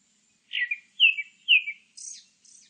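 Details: Grey-backed thrush giving a song phrase of three fluty whistles, each falling and trailing off, then two faint, scratchy, very high-pitched twitters at the end. Clean, quiet recording.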